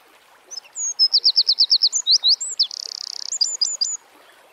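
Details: Eurasian wren singing in nature: a loud, very high burst opening with a few thin whistles, then a run of about ten rapid sharp notes, a fast dry rattling trill, and a brief closing flourish.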